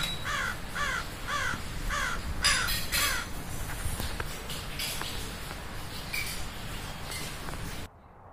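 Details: Crow cawing loudly in a rapid series of short, harsh, nasal caws, about two per second, growing louder midway and then fading into steady background noise before an abrupt cut.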